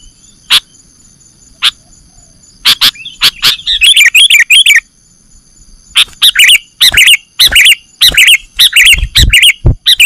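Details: Sooty-headed bulbul (kutilang) call recording used to lure birds for catching: scattered single sharp ticks at first, then rapid bursts of chattering chirps, growing busier and more continuous toward the end.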